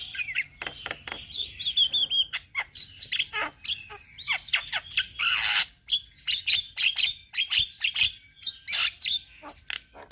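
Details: Javan mynas from Indonesia, a group of untrained birds: strings of fast dry clicking chatter, harsh squawks and short whistles, a loud noisy burst midway, continuing in rapid irregular rhythm throughout.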